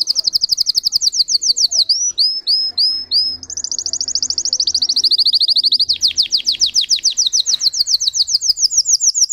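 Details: Canary of the Russian singing breed pours out high, rapid chirping trills, switching between several tour variations with brief pauses and pitch changes.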